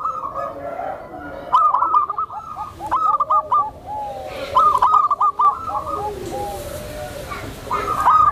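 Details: Tame zebra dove whose voice is used to lure and train other zebra doves: soft, rolling coos in quick stuttered runs, several overlapping phrases, with faint clicks in the background.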